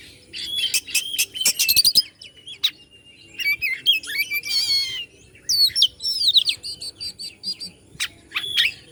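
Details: Oriental magpie-robin (kacer) from Bandung, Indonesia, singing to stir up rival birds: dense bursts of high, varied twittering, rapid clicks and trills, and whistled warbling phrases separated by short pauses.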